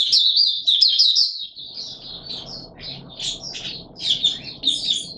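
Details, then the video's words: Mata Puteh Raja white-eye in open song during warm humid weather, 20 March 2022: dense high twittering phrases open the clip, followed by quick bright chirps and short trilled bursts roughly three per second, over low background rumble. "Mata Puteh Raja Video 1 buka sing warm humid weather"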